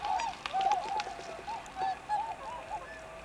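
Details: A flock of tundra swans (Cygnus columbianus columbianus) in Akita Prefecture, Japan, on 20 November 2020 gives soft, nasal, slightly bugling hoots, several birds overlapping in quick bursts about every half second.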